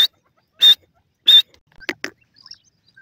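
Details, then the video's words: Partridge (teetar) giving three harsh, buzzy whistled notes about two-thirds of a second apart, followed by two short sharp clicks and faint ticking. "teetar awaaz tik tik"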